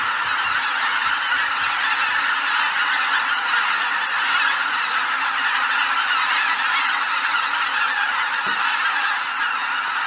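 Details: Huge flock of greater white-fronted geese leaving their roost at Miyajima-numa in 2023: a dense, unbroken wall of overlapping honking and cackling calls, loud and steady throughout with no pauses.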